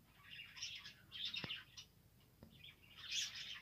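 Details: Australian parrots kept as pets, recorded on 2 December 2022: soft scratchy chirps in short bursts at intervals, with a couple of faint clicks and a quiet low background hum.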